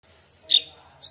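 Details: Bulbul chicks being fed by their mother give one sharp, high squeak, followed by a fainter second note a half-second later, over a steady thin background whine.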